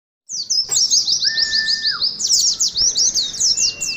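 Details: Oriental white-eye in the wild-type ngeriwik style, used to prompt caged birds and to simulate a singing contest: a dense, rapid run of high, sharp twittered notes, with a long level whistle underneath.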